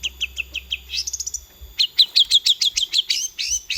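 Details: Long-tailed shrike singing a fast stream of high, bright notes: several quick repeated chirps, a brief rattling burst, then about a dozen rapid, evenly spaced, slurred whistles.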